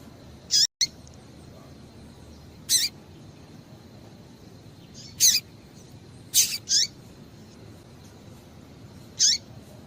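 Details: Irregular, high chirps of a female Double-collared seedeater, played to warm up a male into song: single notes and a couple of quick pairs over ten seconds, background otherwise quiet.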